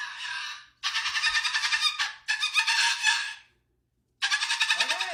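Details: Pet cockatoo indoors, vocalizing while its owner apologizes for holding another bird: three long, grating, raspy bursts of about a second each, separated by short gaps, with faint human speech at the end.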